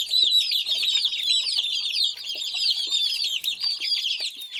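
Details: A crowd of chicks cheeping nonstop, shrill short peeps tumbling over each other in a dense, continuous high chorus.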